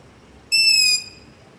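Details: Single loud begging screech of a long-eared owl, recorded in darkness near a house using a ZOOM H5 recorder and LOM Usi Pro microphone; a high, squeaky, half-second note, steady then slightly dropping, against quiet hiss.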